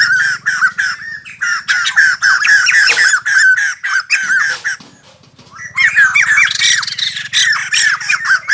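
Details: White-crested laughingthrush, noisy early in the morning, giving loud, harsh cackling and chattering phrases in rapid bursts, breaking off briefly midway before resuming; a faint low hum underneath.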